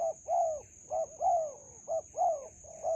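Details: Spotted dove cooing in a melaleuca grove during trapping with a decoy bird: low, hollow coos, short notes alternating with longer drawn-out downslurred ones, about one per second, over a constant thin high-pitched whine.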